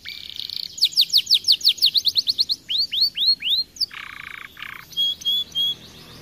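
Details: Canary from an aviary delivering rapid song phrases: a buzzy opening note, quick repeated sharp chirps, several upward-curving whistles, then lower harsh buzzy notes and a final series of thin sweet whistles.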